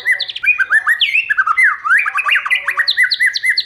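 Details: Dense, many-voiced White-rumped shama song for stimulating other birds: repeated rising whistles and swooping slurs delivered fast and loud without pause, ending in quick repeated looping notes.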